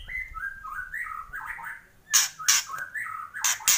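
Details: White-rumped shama loud kretekan: a soft series of mid-pitched whistled notes wavering up and down, interrupted by strong crisp clicks, then a few more whistles and clicks.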